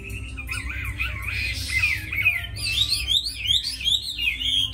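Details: Caged, tame Chinese hwamei kept for fighting, pouring out fast, varied whistled phrases with sweeping up-and-down slurs and sharp high flourishes, steady low background hum.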